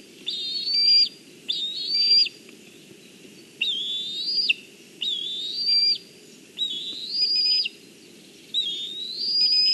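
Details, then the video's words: Juvenile black kite perched on a branch in Kurzeme, Latvia, on 14 July 2023, calling as its mother arrives with fish, though it does not go to eat. About six high, wavering whistled cries, each near a second long, come every one to two seconds. "Mom with fish, Bronza on a branch calls, but does not go to eat"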